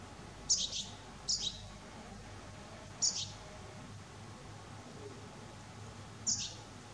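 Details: Juvenile Eurasian goldfinch giving four short, high, thin chirped calls, spaced irregularly one to three seconds apart against a faint steady background hum.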